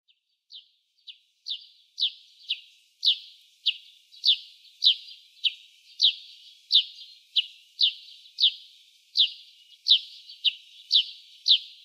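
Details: A Eurasian tree sparrow in early spring gives a steady, rhythmic string of about twenty sharp, high chirps, roughly one every half second, growing louder; the repetitive pattern is thought to be song.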